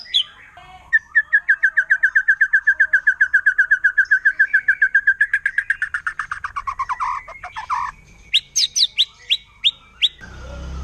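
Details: White-rumped shama from the forest, wild, firing off its provoking song: a long, steady run of rapid repeated whistled notes that slowly slides lower, then a few separated sharp, high, piercing notes, ending in a brief rumble.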